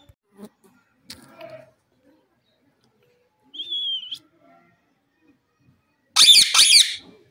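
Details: Pakistani ringneck parrot kept as a pet, shown talking and chattering: a few soft scattered sounds, then a clear rising whistle lasting under a second, followed by a loud harsh double screech near the end.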